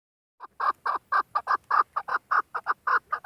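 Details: A female chukar partridge, kept as a hunting bird, gives a steady series of short, hoarse clucking notes, about two per second, each note similar in pitch, over a quiet background.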